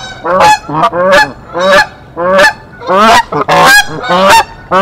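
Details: Defensive honking of Canada geese guarding a nest in a tree at Decorah on 1 April 2024 as an intruder goose attacks: loud strident honks repeated fairly evenly, about one and a half per second.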